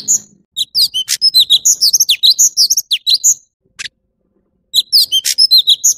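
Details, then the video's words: Orange-bellied leafbird, a singing male, gives a rapid, varied run of high, clear whistles and chirps with quick rising and falling notes. Two dense bursts are split by a short pause, and the background is quiet. "Tiếng chim thanh tước trung quốc/Chim xanh vàng✅Orange-bellied leafbird"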